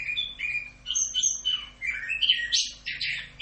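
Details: Orange-headed thrush tutor song in 'Rock'n Roll' style: a flowing sequence of warbled whistles wavering in pitch, building into louder buzzy high notes at the end.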